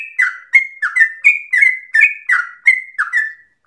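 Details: Trucukan (yellow-vented bulbul) in a long 'ropel' phrase likened to straw-headed bulbul song: paired notes, a lower falling slur then a clear flat whistle, repeated about three times a second.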